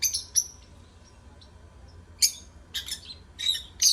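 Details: Lovebirds singing to stimulate other birds: loud harsh high chirps in bursts at the start, then broad screechy notes near two and a half and four seconds, with softer twitters between and a low steady hum beneath.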